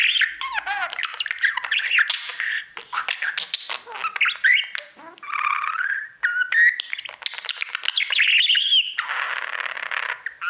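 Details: Pet budgerigar, a male, warbling at his mirror: continuous busy chatter of clicks, squeaks and rising and falling whistled notes, with a buzzy rasping phrase near the end.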